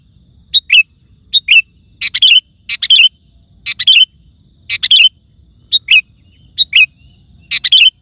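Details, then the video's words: Energetic sooty-headed bulbul song for luring wild birds in woods and gardens: rapid run of around ten short phrases, nearly one per second, mixing clipped chirps with bubbling warbled notes. "Suara Burung Kutilang Gacor❗ Lantang Bikin Gacor Kutilang Lain"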